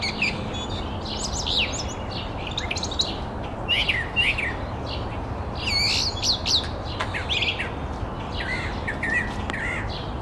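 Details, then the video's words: Brown thrush giving quick, varied chirps and warbled phrases in bursts every second or so, mostly high-pitched, over a steady low rumble of background noise. "Brownthrush bird calling"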